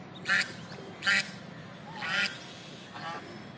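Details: Duck on a water pond giving four harsh, nasal quacks about a second apart, the last one softer, over a low steady background hum.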